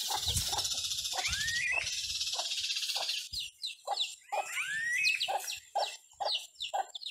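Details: In the countryside, a hen gives short, low clucks about twice a second, calling her chicks to move forward, while high thin chick peeps and a steady hiss fill the background.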